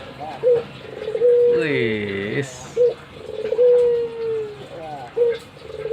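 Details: Albino Barbary dove kept as a pet, nodding and cooing repeatedly: short rising hoots alternate with long, even, slowly descending coos. A harsher, harmonic-rich sound briefly overlaps the first coo.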